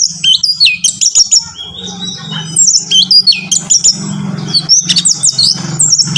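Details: A dense, continuous run of high whistles, twittering notes and quick slurred phrases from an orange-headed thrush, played to stimulate a captive bird. A steady low electrical hum runs underneath.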